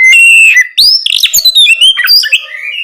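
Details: Oriental magpie-robin singing loud, open ngeplong song at night, used to prompt other magpie-robins to answer: clear sustained whistles that jump and slur between pitches, with quick chattery notes mixed in.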